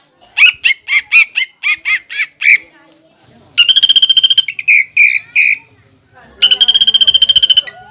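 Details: Greater green leafbird delivering contest-style song filled with pelatuk bawang (flameback woodpecker) mimicry: a run of sharp rising whistles, then a rapid rattling trill, harsh notes, and a second long rattle.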